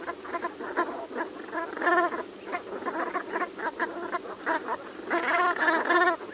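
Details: Brant geese calling together in a dense, continuous chorus of short guttural honks, overlapping throughout, with louder clustered bursts near the middle and end.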